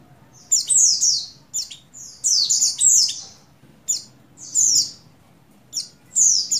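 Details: Female Oriental white-eye, buxtoni form, in breeding condition calling a male, used to stir males into singing; thin high whistled notes sliding downward, given in short clusters with brief pauses, about three bursts every two seconds.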